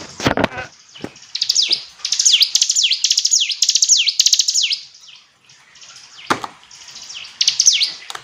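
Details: Hill prinia song of rapid, high, downslurred chirps in quick bursts, broken by loud knocking and thumping noises near the start and middle.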